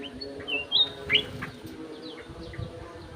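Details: Golden-fronted leafbird in an aviary: a few crisp whistled notes and short slurs in quick succession, then fainter chirps trailing off over a humming background.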